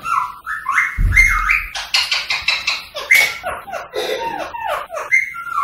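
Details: Indian rose-ringed parakeet vocalizing to prompt song and breeding in others: whistled notes mixed with dense harsh chatter and a series of short downward-sliding calls, with a brief low thump near the start.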